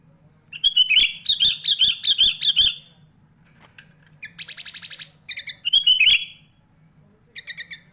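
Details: Sooty-headed bulbul in full mimicry-filled song featuring phrases of other birds such as magpie-robin, meant for tutoring young and adult birds: a run of six loud slurred whistles, a pause, a buzzy rattle, then a twisting whistle and soft chirps.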